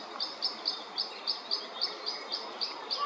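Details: European pied flycatcher confronting a white-backed woodpecker on 29 May 2024 gives sharp, high, clipped notes about four times a second, steady and insistent, over a soft background hiss.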